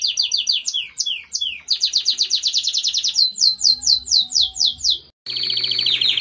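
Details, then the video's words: Belgian canary singing for young birds: varied phrases of quick repeated notes and descending whistles, ending with a dense buzzy trill after a short gap. "ENCARTE CANÁRIO BELGA PARA FILHOTES"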